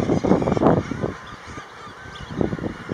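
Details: A common guillemot colony at Elegug Stacks, Pembrokeshire, with chicks present, fills the air with deep, harsh, growling calls that overlap constantly, louder bursts rising from a steady low murmur.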